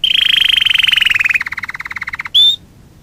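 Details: Canary training song: a rich rolling trill gliding slightly downward, then a lower rapid pulsed trill, ending with one bright whistled note.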